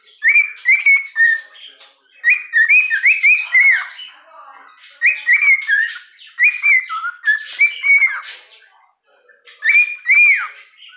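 A cockatiel whistles a song of clear rising and falling phrases, repeated in bursts.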